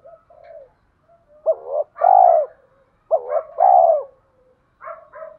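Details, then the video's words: Spotted dove decoy singing in the 'giọng thổ' voice style, used to lure wild males in to fight. Low hoarse coos in short phrases, some notes clipped and some drawn out with a falling ending, separated by quiet gaps. "cu gáy giọng thổ pha kích bổi trống nhanh gáy, bổi ngoài rùng nghe nhanh về cội đấu với mồi"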